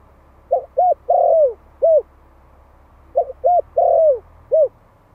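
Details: One-year-old Malai-type spotted dove, a caged decoy bird from Vietnam, calling to lure wild doves. Two phrases, each a short note, a mellow coo, a long drawn falling coo and a final clipped coo, in a quiet background.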